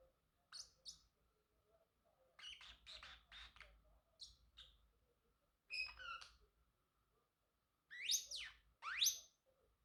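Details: Singing male Pacific parrotlet, a pet bird, mixing short high chirps and buzzy grouped notes, ending with two loud, fast upward-sweeping whistled notes.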